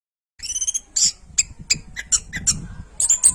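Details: Orange-headed thrush training song with squawky, harsh high notes repeated in quick stuttering bursts, over a steady low rumbling background noise.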